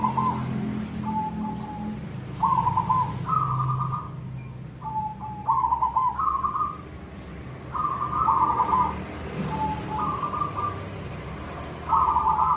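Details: Singing silver zebra dove in the koong style: a long series of short rolling coos in pairs and triplets, some low, some slightly higher, repeated with brief gaps over twelve seconds, above a steady low hum.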